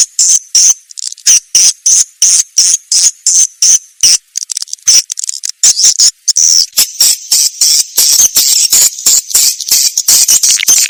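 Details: Swiftlet sound from Indonesia for swiftlet farmers: high buzzy twitter pulses in rapid, slightly irregular succession, running together into a denser chatter in the second half.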